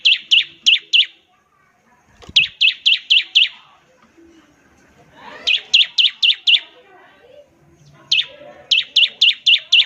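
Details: Bar-winged prinia singing ngebren, a trilling style meant to get other prinias singing fast. Repeated bursts of four to six loud, sharp, high chips at a steady pace, with short quiet gaps and faint low noise.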